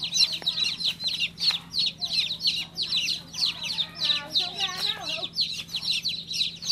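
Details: Baby chick peeping loudly and repeatedly in high, downward-slurred notes, while a brief voice murmurs in the background partway through.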